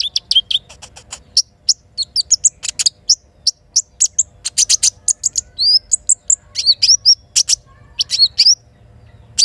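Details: Little spiderhunter singing in the morning by a forest river: fast, very high, sharp chips and short whistled slurs in dense bursts, some rapid trills, with a faint low rumble of flowing water underneath.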